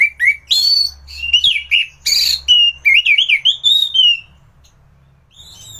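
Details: Orange-headed thrush delivering gacoran song used to train other birds: varied clear whistles, rising and falling slurs and quick warbled phrases mixed with a few harsh bursts, continuous for about four seconds.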